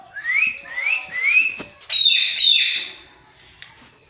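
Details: Imitation of a cat's meow by a parrot: three quick upslurred whistles in a row, then a loud, harsh, noisy squawk, fading to near silence.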